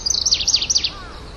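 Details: Grasshopper warbler (genus Locustella) song: a rapid series of about eight sharp, high, descending chirps packed into under a second, with quiet background noise afterwards.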